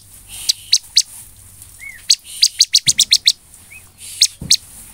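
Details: Bar-winged prinia singing, used to excite other birds into song: short bursts of sharp high chips in quick runs separated by pauses, with two faint downslurred whistles and occasional knocks.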